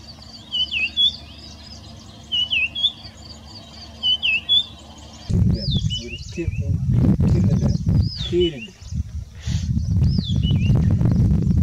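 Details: Red-backed scrub robin singing, a bird noted for varying its song between areas: short whistled phrases that drop sharply then flick up, repeated about every two seconds. Heavy low rumbling noise joins midway while the phrases continue.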